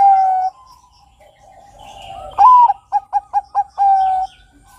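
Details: Zebra dove, Bangkok type, giving a long final coo, a pause with faint background noise, then one full phrase: a strong rising note, four or five short separate coos and a sustained closing coo.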